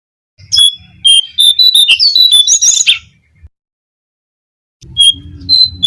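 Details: Brown-cheeked fulvetta song used as bait to call in birds: a fast chain of clear, warbling whistles climbs toward a hurried ending. After a silent gap a new phrase begins, with low hum underneath.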